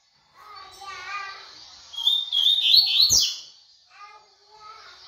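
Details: Double-collared seedeater singing in the tui-tui style: a short burst of loud, high, rapid slurred whistles and trills in the middle, with lower harmonic voice-like sounds before and after.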